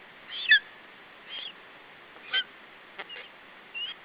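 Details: Wild lesser spotted eagle chick in Estonia guarding its food from a parent, July 2012: a handful of separate high squealing whistles, the first one loudest, with pauses and soft clicks in between.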